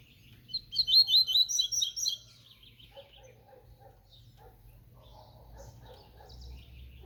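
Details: Double-collared seedeater singing 'tui tui' song: a strong phrase of rapid, high, repeated trilled notes lasting about two seconds, followed by softer lower twittering and scattered chips over a faint hum.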